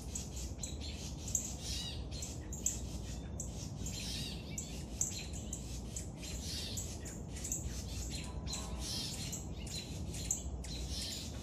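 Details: Feeding of a young woodpecker: continuous insistent high chirps and harsh squawks in quick succession for the whole stretch, a few sharp knocks, steady low rumble underneath.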